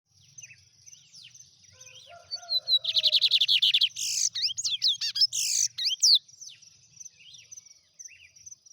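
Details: Lined seedeater, known in Brazil as bigodinho, singing in a rapid 'trem bala' style: fast buzzy trilled bursts around a steady high whine, with softer chirps and a faint low hum before and after.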